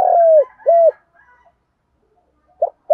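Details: Spotted dove decoy bird calling to provoke males: the end of a phrase with a long falling coo and a round closing coo, a quiet gap, then a short note starting the next phrase.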